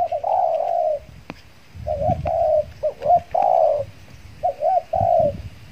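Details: Trained spotted dove decoy, recently through its moult, calling while used to lure wild doves: a run of short and long mellow coos in uneven phrases, with low thumping and rustling sounds underneath.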